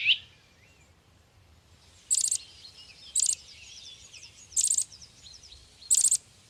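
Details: Small young white-eye, said to be greedy and eating a lot, giving short harsh, very high rasping bursts about every second and a half, with faint twittering between them.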